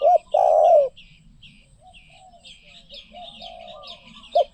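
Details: A spotted dove ends a phrase with a long, rich rolling coo, then after a pause of quieter cooing begins another with a short note; small birds chirp continuously in the background.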